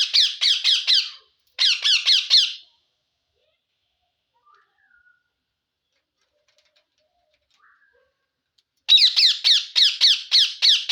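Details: Green parrot vocalizing while eating, from an Assamese-language recording of a talking parrot: three bursts of rapid, harsh, raspy notes, about four per second, separated by a long quiet gap.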